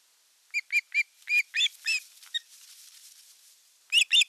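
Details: Osprey at a nest cam in the Satakunta region of Western Finland, 5 August 2024, during a fish delivery as the elder chick attacks the younger: a quick run of short, high, sharp chirps, a pause, then a few more.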